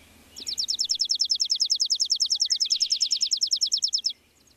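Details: Chipping sparrow on a foggy day in an apple tree. It gives a sustained mechanical trill of sharp, high, identical chips, about ten per second, lasting around four seconds against faint low hum.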